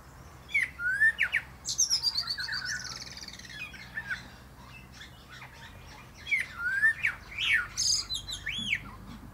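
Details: Common blackbird singing atop a plum tree: mellow warbled phrases sliding up and down, then a high twittering, squeaky ending; two song bursts separated by a short pause, with faint low background hum.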